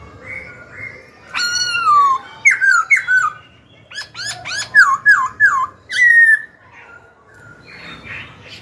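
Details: Black-throated laughingthrush song meant to goad rival birds into contest and tutor young birds: a lively string of loud whistled, bouncing notes and sharp clicks, several rapid downslurred phrases in a row, ending in softer chatter.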